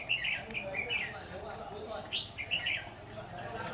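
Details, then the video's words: Red-whiskered bulbul song recorded while trapping on 10 September 2019: a string of short, clear, chirpy warbled phrases repeated several times in quick succession over a faint background hum. "Bẫy chào mào Bộ to dọa mồi liên tục"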